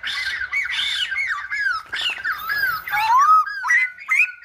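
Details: A kept Silver-headed babbler sings continuously, a busy chain of looping downslurred whistles mixed with harsh chattering notes, roughly two or three notes each second, bright and loud throughout.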